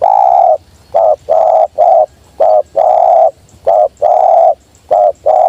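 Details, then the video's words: Sweet 'jergot' calling of a wild spotted dove coming straight down: a run of low coos alternating short and long, about ten notes in just over five seconds, with a quiet background. "Burung liar nya turun langsung jergot manis"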